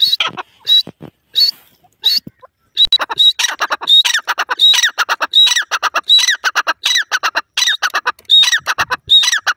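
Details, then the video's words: Francolin, called Irani or Dakhni teetar, a partridge, calling loudly: harsh, rasping bursts of rapid notes, each topped by a high whistled tone, repeated about once a second almost without pause. "irani teetar voice, partridge bird sounds, dakhn teetar awaz"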